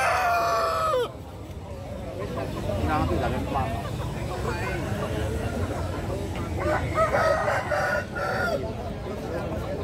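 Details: Bangkok and mangon chickens gathered at an arena in Tretes, East Java, Indonesia; a loud, drawn-out crow fills the first second, then fainter crows and clucks mix with crowd voices and low engine rumble.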